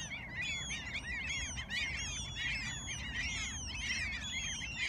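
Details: Many gulls in Alaska calling together, a dense chorus of harsh, arching squeals and yelps overlapping without pause, over a steady low rumble.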